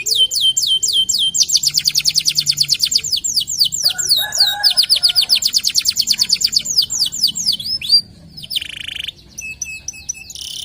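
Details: Local canary song used as a lure or training recording for other canaries; rapid runs of bright, high repeated notes, long trills of identical chirps at several per second, with short whistled phrases and a brief buzzy note near the end.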